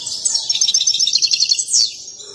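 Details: Excited goldfinch in song during a dance: a continuous rapid twitter of high bright notes, closing with a buzzy downward slur.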